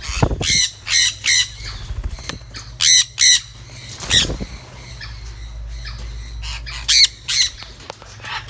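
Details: Sun conures on a bird farm in Siem Reap, Cambodia, eating freely, give harsh, raspy squawks, often in quick pairs, about ten in eight seconds, over a low steady hum.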